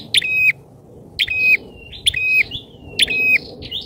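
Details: Loud bar-winged prinia kept as a trapping lure, its strong voice said to deter wild birds; repeated sharp chip followed by level buzzy trill, four bursts about once a second, thin whistled slides between.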